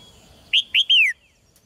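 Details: Red-whiskered bulbul singing in a cage to encourage males: a single clean phrase of two short upward whistles followed by a longer whistle gliding down, quiet surroundings.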